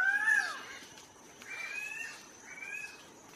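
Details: Guianan cock-of-the-rock giving a loud, nasal, meow-like call that starts high and slurs downward. Two flatter, drawn-out whining notes follow, and a faint steady high hiss runs underneath throughout.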